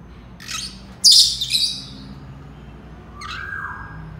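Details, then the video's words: Senegal parrot, known as yoyo parrot, gives a soft scratchy note, then a loud harsh squawk with trailing chatter, and finally a level whistled tone, all over a low indoor hum. "Senegal parrots sounds تصفير جميل و محفز لببغاء اليويو السنغالي"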